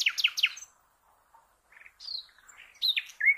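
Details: Common nightingale singing for cage-bird training: a quick burst of repeated chirps, a pause, then scattered whistles and rising slurred notes.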